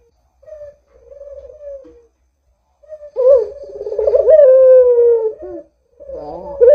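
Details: Barbary dove used as a lure to prompt other doves to call: a soft low coo, then a louder rolling, throbbing coo that swells and slides downward over about two seconds, with a fresh phrase starting at the end.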